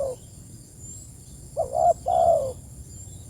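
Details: A spotted dove calls its companions. The tail of one coo is followed by a pause, then a short rising-and-bent note and a drawn-out falling coo, low and soft, with a faint high whine behind.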